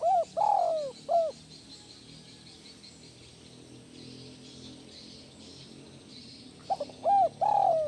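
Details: Cooing spotted dove, used to ease stress in kept doves: a falling coo phrase at the start and another at the end. A long pause between them is filled only by steady insect buzzing.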